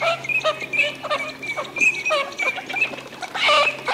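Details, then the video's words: Eurasian teal group displaying in winter courtship at Aiguamolls de l'Empordà wetland, Spain, 25 December 2015; repeated high whistles mingle with nasal, stuttering lower calls, dense and continuous across the recording. "SARCELLE d'Hiver/Anas crecca/Parades ! BRUITX"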